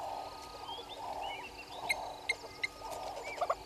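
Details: Red-billed hornbills below a live waterhole camera at Gowrie dam, Djuma Game Reserve, Sabi Sand Wildtuin, South Africa, at 06:32 on 03/07/2022: rapid clucking, pulsed mid-pitched bursts repeated in waves, with sharp high chirps and trills from other birds.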